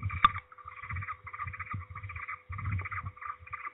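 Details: Peregrine falcon at a nest in Trzebież, Poland, on 16 May 2019 in mid-afternoon: a bird returns loudly to the nest while another slips away. Harsh, rapid chattering notes repeat in short bursts over low rumbling background noise.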